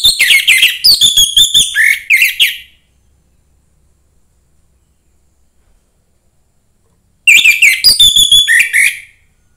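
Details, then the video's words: Young forest orange-headed thrush singing to excite other thrushes: two bursts of fast, varied whistles mixed with scratchy chatter, each about two seconds long, separated by roughly five seconds of silence. "suara anis merah MUDA HUTAN meningkatkan felling anis merah lain"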